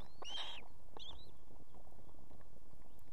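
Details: Female osprey at an evening nest in Estonia with two chicks, calling the male to bring food: two high, clear whistled notes, the first longer and arched, the second short, over low steady background hum.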